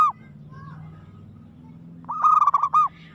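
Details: Aggressive zebra dove (perkutut) song: a brief cooed note, then after a pause a loud, quickly trilled burst of rippling coos lasting under a second, over a steady low hum.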